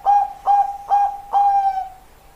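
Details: Perkutut (zebra dove), Bangkok type: three clipped coo notes spaced about half a second apart, then a longer, sustained hollow note that fades away into quiet.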